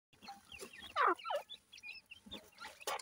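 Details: Grey francolin chicks, known locally as irani teetar, giving short high chirps and peeps, some rising and falling, with a louder downward slur near the middle and scattered clicking and tapping sounds.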